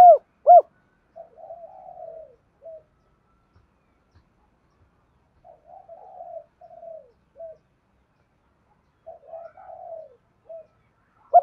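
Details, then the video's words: Spotted dove coo, used to coax caught doves into calling. Mostly soft, low murmuring coo phrases repeat about every four seconds. Brief louder arched coos come at the start and end. "Tiếng chim cu gáy kích bổi nhanh nổi hai hậu bổi nghe nhanh gáy và về cội"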